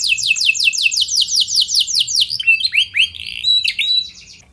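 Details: Canary singing hard as a lure for other canaries: a quick trill of high descending notes, breaking into varied chirps, twitters and short upslurred whistles.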